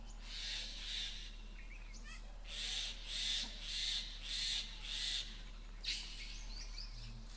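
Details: Indian grey hornbill on a Peepul tree: a run of about six harsh, high squealing notes repeated roughly every 0.6 seconds, with faint chirps of other birds in the background.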